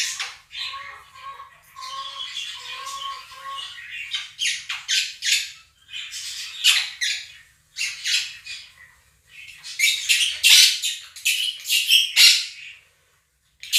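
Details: A pair of caged Quaker parrots kept as pets drowns out recorded budgerigar chirping and singing with repeated harsh, raspy squawks, roughly every one to two seconds. The bursts grow louder and denser toward the end, over a steady tonal chirping from the recording.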